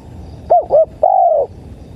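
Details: Spotted dove (tekukur) playback for luring birds: two quick soft coo notes followed by a longer, slightly falling drawn-out coo, all clean over a quiet low hum.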